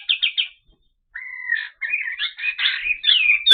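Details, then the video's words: Olive-winged bulbul (kapas tembak) in clear song for training other birds: three quick chirps, a pause, one long level whistle, then a run of warbled, rising and falling phrases that build to a loud ending. "Masteran Suara Burung Kapas Tembak Jernih"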